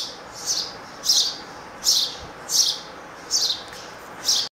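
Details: Three sparrow chicks on a stand by their window-grill nest beg loudly as their father arrives to feed them: six bursts of high, shrill chirruping, about every three-quarters of a second, over a faint background hiss.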